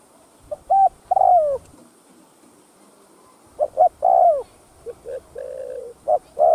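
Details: Spotted dove cooing in the thúc gù style, played to stir decoy doves into calling: two phrases of short clipped notes running into a longer, falling, mellow coo, separated by a pause, with a steady faint hiss behind.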